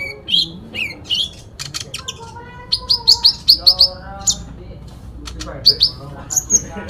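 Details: Sooty-headed bulbul fighting song, a dense mix of sharp chirps, short trills and clear whistled notes around mid-high pitch, with loud repeated bursts after the third second; a faint low hum underneath.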